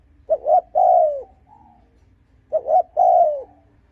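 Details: Cooing spotted dove, played to provoke rival wild males: two three-part phrases, a quick pair of hollow notes then a long, mellow, downward-sliding coo, separated by a pause.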